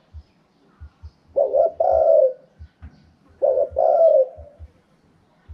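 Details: Spotted dove in wild 'karom pa' voice style: two full phrases about two seconds apart, each a pair of short coos then a long throaty descending coo, over scattered soft low knocks.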